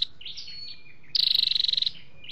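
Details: Flowerpecker (chim sâu đầu đỏ), with male and female calls mixed, used to lure wild birds or stir caged ones. Thin high slurred notes, then a loud, fast, buzzy trill at one high pitch lasting under a second.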